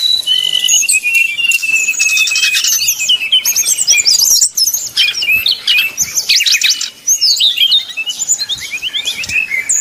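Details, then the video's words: Brown-chested jungle flycatcher in whistled 'nyuling' style, played to provoke rivals: long sliding whistles open a busy run of rapid trills and chirps, with brief dips near the middle and toward the end. "srdc nyuling bikin lawan jadi panas penuh emosi"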